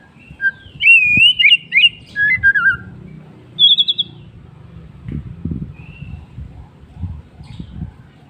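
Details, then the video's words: White-rumped shama singing in the afternoon: a loud burst of rich warbled and trilled whistles with a quick buzzy trill, then quieter scattered short notes over soft low rumbling background. "MURAI BATU bird singing in the afternoon"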